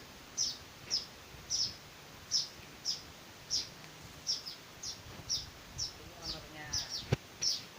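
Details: Weaver chicks begging during hand-feeding, a run of short, high, squeaky chirps at an uneven pace, with a click and faint lower chatter toward the end.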